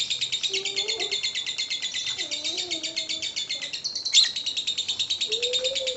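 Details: Fast, high, buzzy chattering ngekek song from a lovebird, a lure for getting other lovebirds to sing. One sharp, louder note stands out near the middle, and faint low wavering whistles sound in the background.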